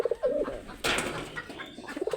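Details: A tame domestic pigeon (Columba livia domestica) with young, perched on a person's shoulder or hand, gives soft, low, throaty coos, broken by a burst of human speech.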